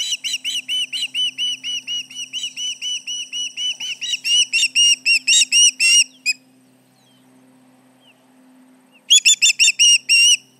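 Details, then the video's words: Alarm calling by an osprey at its Charlo nest, 29 July 2019 around 11:30am, with intruders about: rapid shrill whistled notes in a steady series, breaking off after six seconds, a pause, then a fresh burst of yelps. "Intruders around, 7/29/19 - Charlo osprey nest"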